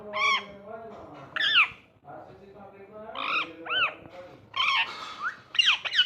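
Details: Pet ringneck parrot chattering playfully, a run of varied harmonic squawks and arched, speech-like notes, some rising and falling, others buzzy, packed closely over several seconds.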